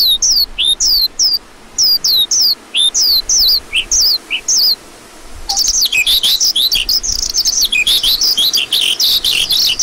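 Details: Lark giving clear, high, down-slurred chirps at a steady pace for about five seconds, then breaking into a denser, faster, more jumbled high warble.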